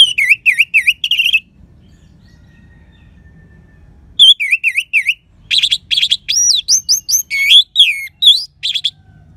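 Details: Lively orange-headed thrush song in 'crystal' style, used as a lure for lethargic or stalled birds. Looping chirps in quick series, a pause, then a dense medley of slurred, rising and falling whistled notes.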